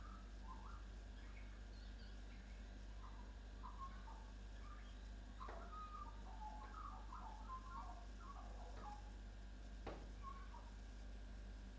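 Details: A local Australian magpie sits at a kitchen window in Chelsea, Victoria, Australia, singing quiet, warbling clicks, chirps and bleeps with quick rising and falling notes like R2-D2's beeps, over a steady low hum.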